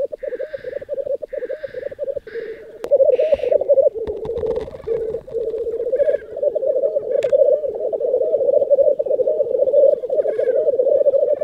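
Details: Several black grouse males bubble and coo in a steady, rolling chorus at a spring lek in southern Norway in April, with snow melting, broken now and then by sharp hissing sneezes.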